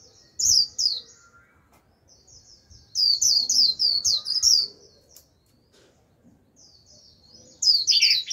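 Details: Decoy Japanese white-eye singing líu to attract a wild flock: loud high twittering bursts at the start, in the middle and at the end, separated by quieter gaps with soft distant chirps.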